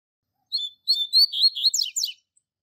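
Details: Caged double-collared seedeater master bird sings the classic Tui Tui Zel Zel training song for young birds: a quick high phrase of clear whistled notes and slurs, then fast descending buzzy sweeps, lasting under two seconds.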